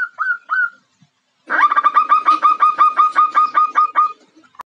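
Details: Female zebra dove (Geopelia striata, perkutut) calling to lure a male: two short soft notes, a pause, then a vigorous run of about a dozen rapid, harsh rolling notes lasting some two and a half seconds.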